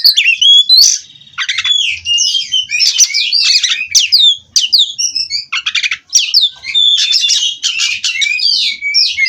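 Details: Nonstop rolling song of a captive-bred white-rumped shama from Cirebon, mixing clear whistles, harsh buzzy bursts and rapid chattering trills in an unbroken stream.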